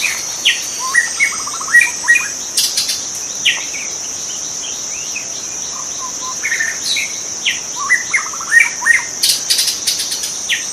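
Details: {'caption': 'White-rumped shama in its wild habitat, giving repeated phrases of rapid stepped notes and short whistled slurs, pausing between bouts, with a continuous high-pitched insect whine and occasional crackles throughout.'}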